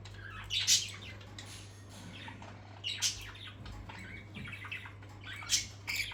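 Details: Pet parakeets during playtime, uttering a few loud, shrill squawks spaced about two seconds apart with quieter chatter between, indoors over a steady background hum.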